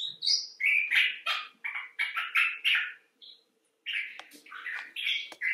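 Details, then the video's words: Common bulbul (Pycnonotus barbatus) giving expressive chattering calls, bursts of harsh, buzzy notes about three a second, broken by a short pause near the middle; one of several individuals, some rescued clinic birds and some wild. "Bulbul Talk: The Common Bulbul (Pycnonotus barbatus)"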